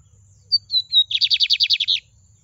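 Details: Lined seedeater singing low: three thin descending whistles, then a fast series of about eight buzzy, repeated notes lasting under a second, clean with a faint low hum behind.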